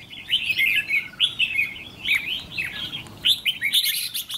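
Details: Caged trainee decoy red-whiskered bulbul, a fiery-eyelid bird tested for its temperament, sings short warbled phrases with bright, slurred notes that break off and restart in quick bursts.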